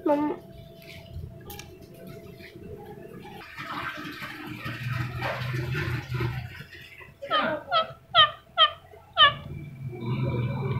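A ringneck parrot chatters in mimicked speech, ending in a run of five sharp, harmonic squawks about half a second apart, with running water and room noise behind.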